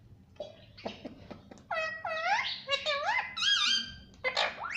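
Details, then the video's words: Indoor talking parakeet known for saying "mummy papa": a string of wavering, speech-like harmonic syllables that rise and fall, preceded by soft clicks and ending in a higher, brighter note. "mummy papa bolne wala mitthu || parrot love sound"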